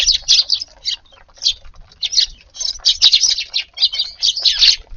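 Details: Several Eurasian tree sparrows visiting a garden at lunchtime on a warm February 10th, feeding; bursts of bright, sharp chirps and cheeps overlap in quick clusters, pausing briefly between flurries, with faint low rumbling beneath.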